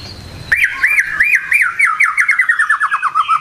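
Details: White-rumped shama singing in the morning, a rapid series of looping whistled notes around mid pitch, steady and repeating, slowly descending and quickening toward the end after a quiet start.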